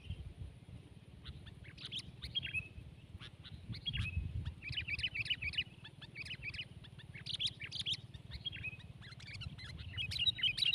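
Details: Two sooty-headed bulbuls in a tense singing contest, one twelve months old, trading short bubbly chirped phrases in bursts near 2–4k, over a steady low rumble of background noise.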